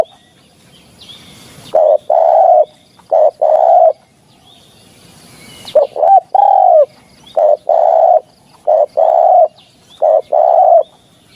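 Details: Spotted dove calling, as used for attracting birds when hunting; low, soft coos grouped in phrases of two to four notes, separated by pauses of about two seconds, with a faint high whine behind.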